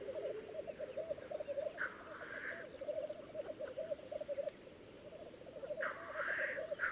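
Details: Lekking black grouse recorded on 19 April 2011 in Läänemaa, Estonia, keep up a steady, rolling low bubbling, with two harsh rushing hiss calls, one in the middle and one near the end.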